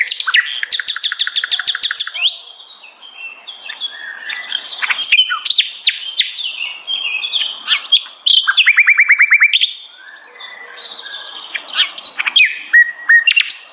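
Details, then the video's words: Sikatan londo flycatcher delivering a long, rich song of fast rattling trills, repeated buzzy note series and scattered high chirps, almost continuous throughout. "beragam jenia dan kicauan sikatan londo"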